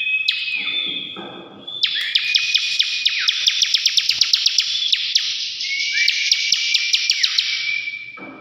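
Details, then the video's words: Bar-winged prinia delivering ngebren-style song, an intense grating buzz studded with sharp regular clicks and several upslurred whistles, almost without pause. "CIBLEK NGEBREN GACOR"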